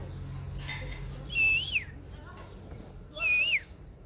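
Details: Oriental magpie-robin singing its wild-type song, recorded at Múa Khiển in 2023: two clear whistled phrases, each rising slightly then sliding down, about two seconds apart, over a steady low background hum and hiss.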